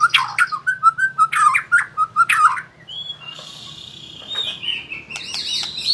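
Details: Young white-rumped shama learning rolling trills: a quick series of repeated short chirps, then a long thin whistled note that wavers and climbs near the end.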